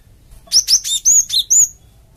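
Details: Java sparrow calling to provoke a flock of untamed birds into answering: a quick run of six clear, high, slightly rising chirps delivered in just over one second.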